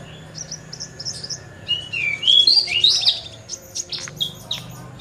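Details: Horsfield's bush lark, a rare bird that mimics other birds' voices, singing an energetic, varied string of high chirps, short whistles and bright warbled phrases, busiest in the middle, with a faint low hum underneath.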